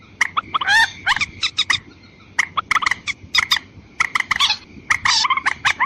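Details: Harsh, gobbling croaks of white-breasted waterhen played as a lure for both sexes, bursts of rapid nasal notes and a couple of upslurred squawks, with a faint continuous tone in the background.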